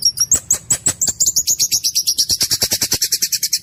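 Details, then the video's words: Harsh, clear rolling song of a white-rumped shama: a dense, rapid train of sharp clicking notes, roughly seven per second, with very high thin whistles rising slightly across the phrase. "Ciung batu gacor rol tembak suara kasar jernih!!!!!"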